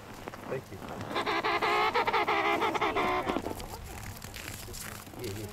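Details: Emperor penguin on sea ice between Cape Evans and Cape Royds, with a buzzy, pulsed trumpeting call of about two seconds over wind noise and faint background sounds.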